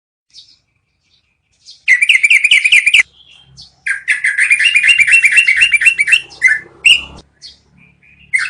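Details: Yellow-vented bulbul giving a long rolling song, recorded as training audio for cage birds; two bursts of rapid, bubbly, evenly pulsed notes near the same pitch, a short one and then a longer run, with quiet gaps and scattered soft chirps.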